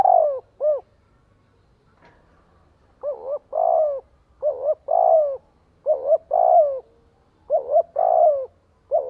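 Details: Spotted dove used as a decoy, cooing to lure and gather wild doves: a short doubled coo followed by a longer falling coo, with phrases coming in quick succession after an early pause. No other sounds are heard.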